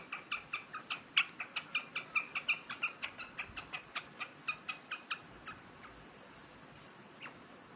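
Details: Quail of large size, eating grain, 3 July 2021: some twenty sharp chirps in a fast even series over about five seconds, then near silence with one last isolated note.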